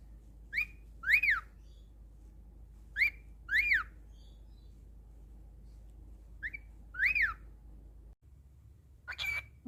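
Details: Pet cockatiel giving a few sharp whistled notes that sweep up and down, spaced several seconds apart over a low steady background hum.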